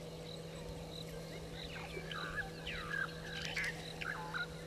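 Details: Egyptian geese at Gowrie dam waterhole, Djuma Game Reserve, Sabi Sand, South Africa, at 17:13 on 24 October 2022, give harsh, hoarse honks and cackles, about one or two a second, over a steady low electrical hum.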